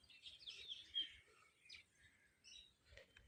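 Rose-ringed parakeet giving quick, high, scratchy chirps in a dense burst, then a few scattered sharper notes, over faint outdoor background noise.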